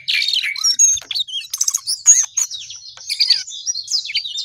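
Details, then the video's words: Sooty-headed bulbul in lively song: a busy run of whistled, slurred and chirping notes, some rising and some falling, with brief buzzy bursts packed closely over four and a half seconds. "jongkangan gacor"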